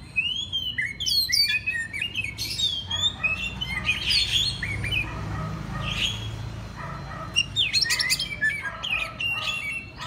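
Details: Oriental magpie-robin song from a master track meant to set other magpie-robins singing morning, noon and night: bright whistled notes and fast sharp chirps in bursts, with a low steady hum underneath.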